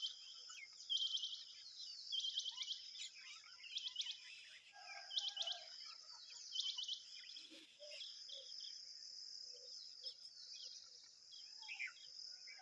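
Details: Begging tailorbird chicks being fed a large worm: around six bursts of fast, high-pitched stuttering chirps in the first seven seconds, then quieter scattered notes, all over a continuous high buzzing background.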